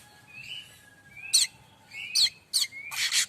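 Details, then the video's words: Streaked weaver song used to train other songbirds such as the white-rumped shama. Soft rising whistles each lead into a harsh, buzzy burst, repeated four times in quick succession. "Kicau manyar variasi mantab"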